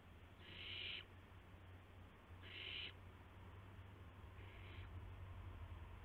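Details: Owlets at a nest shortly after midnight, March 19, 2016, during prey deliveries by the adults; two loud, harsh hissing screeches of roughly half a second, followed by a fainter third, over a steady low drone.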